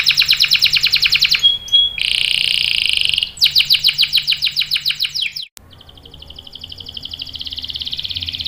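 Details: Canary song aimed at luring other canaries into singing: fast rolling trills and a brief whistle, a dense buzzy section, more rolling notes, then a softer steady trill after a short break.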